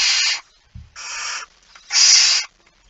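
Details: Barn owl at the nest while feeding, early morning of 19 September 2019: three rasping, noisy hisses of about half a second each, separated by short pauses, with one soft low thud.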